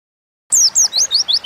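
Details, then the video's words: Pleci, the Oriental white-eye, singing in 'gacor ngalas' style as a lure recording: after silence, five sharp, high, downslurred whistled notes in quick, even succession. "Burung pleci gacor ngalas pancingan bahan agar cepat bunyi"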